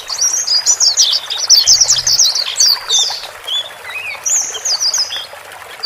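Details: Male and female white-eyes calling to help a new cage bird adapt; a fast high twittering burst, then quieter scattered chirps and a few slurred whistles fading out.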